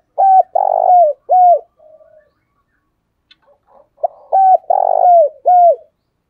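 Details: Spotted dove; decoy coo; decoy call used to lure other doves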